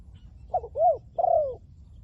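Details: Spotted dove used as a decoy to lure wild doves, its voice in the 'liu tan' style: one three-part coo, a short stuttered note, an arched mellow coo, then a long falling coo, over a low rumbling background.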